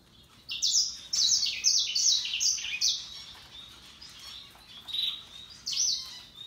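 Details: Russian yellow and Timbrado canaries singing happily: rapid series of bright, descending whistled notes rolled into fast trills, several phrases in quick succession, then quieter twittering and a final burst of high trilled notes.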